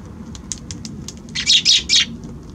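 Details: Eurasian tree sparrows visiting a balcony in January, 6 January: faint scattered high chirps, then three loud bright buzzy chirps in quick succession near the end.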